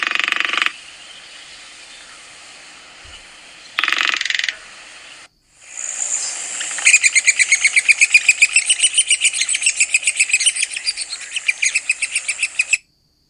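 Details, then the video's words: Red-cockaded Woodpecker of the southeastern United States: high, rapid squeaky chatter of many short notes, nearly four a second, after two brief hissing bursts and a pause, with a faint steady hiss throughout. "Red-cockaded Woodpecker Calls & Sounds"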